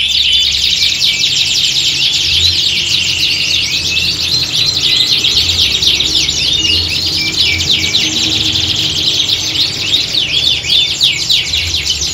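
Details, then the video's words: Several domestic canaries singing together in a contest-like setting, used to train birds for singing competitions; dense, continuous high twittering with fast trills and rapid chirps overlapping throughout, plus a faint low hum. "Kicauan Squad Kenari Siap Gantang!"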